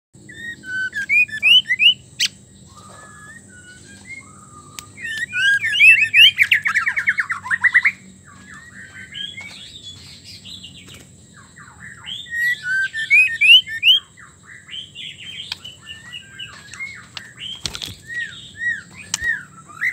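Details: A female white-rumped shama calls to a male with varied, rich whistles and rapid chattering phrases, used to provoke male shamas into singing.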